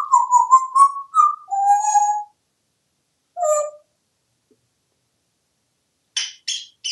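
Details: Pet African grey parrot, hatched in 1997 and living in a home in Texas, talks in a run of tonal, word-like bursts with clear harmonics, then pauses before a few short, brighter syllables; an indoor room with an owner naming colours nearby.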